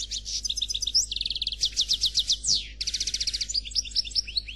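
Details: Khalwi-style song from a black European goldfinch, given without faults: continuous high, liquid twittering with rapid trills, rising whistled slurs and fast repeated notes, dipping briefly near the third second before resuming. A faint low hum runs underneath.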